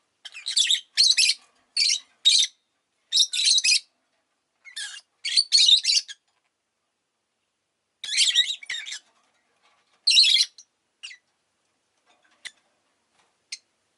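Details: Several pet rosy-faced lovebirds, chirping often that day, produce clusters of harsh, high chirps in the first six seconds, then scattered bursts and faint single ticks, with silence between.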